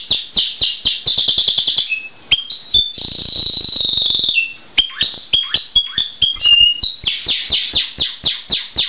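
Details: A male canary, possibly a colour canary, sings a "chopper" song with many chop notes and some wild-sounding notes: fast, bright chips and rolling trills, including a long buzzy sustained trill, then quick upward-sweeping notes repeated several times a second.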